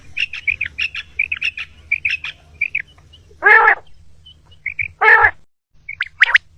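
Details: Common quail in the morning, recorded for hunting: rapid short high notes in pairs, then louder broad rasping calls spaced about every one and a half seconds, with a faint low hum beneath.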